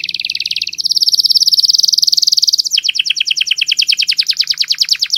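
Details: Clear-voiced canary on a tutoring recording: a low rapid trill rises into a loud, even, high roll, then breaks into repeated down-slurred whistled notes about three per second.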